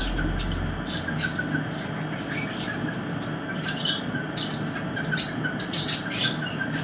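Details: Newly hatching silver pheasant chicks give thin, high peeps in quick clusters, sometimes overlapping, over a steady low hum.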